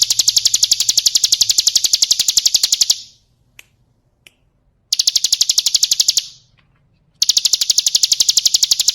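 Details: Calling female bar-winged prinia, played as a lure for males: bursts of rapid, evenly spaced high-pitched chips, each lasting a few seconds, separated by short silences with faint clicks.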